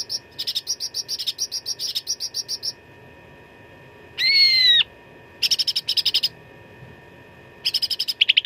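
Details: Cucak ranting in full fighting song, recorded for training contest birds: repeated rapid series of sharp high chips in short bursts, one long harsh buzzy note midway, ending with a quick slurred whistle, steady low hum beneath.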